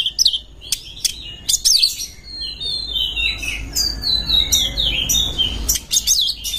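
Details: Oriental magpie-robin song used to stimulate other birds, the singer in breeding condition: sweet whistled phrases sliding up and down, interspersed with sharp chips and brief rattles over a soft steady hum.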